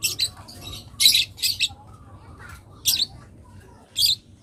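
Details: Young long-tailed shrike giving loud, grating squawks in short bursts. Some come as quick pairs and others stand alone, separated by pauses of up to a second over a faint low hum.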